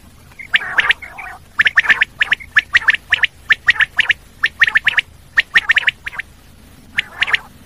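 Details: Common quail pouring out rapid series of sharp, clipped pips in tight groups, nearly continuous over several seconds, with a short nasal rasp early on and faint low background hum.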